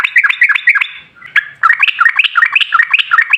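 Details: Lure song of a sooty-headed bulbul in gacor ropel style, meant to make other trucuk answer at once: a quick bubbly phrase, a brief gap with a thin note, then the rapid chatter resumes.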